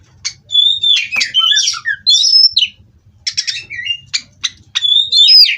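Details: Captive-bred Oriental magpie-robin kept for song contests, singing loudly: clear whistled notes mixed with rapid buzzy bursts and sharp chips, in phrases separated by short pauses, with a faint low hum behind.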